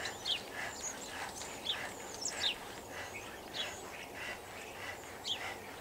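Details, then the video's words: A flock of common starlings in a tree makes a busy mix of sharp high whistles and scratchy chattering notes in quick, irregular bursts, over faint low background noise. "starlings flocking tree"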